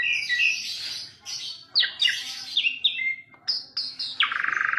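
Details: Asian pied starling song with harsh, noisy notes, falling whistled slurs, short clear whistles and a closing rapid rattling buzz.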